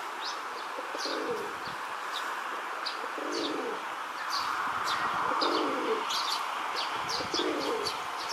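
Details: Rock Doves in a park, where a male courts a female: low, rolling coos in bursts about every two seconds, with high chirping from small birds in the background.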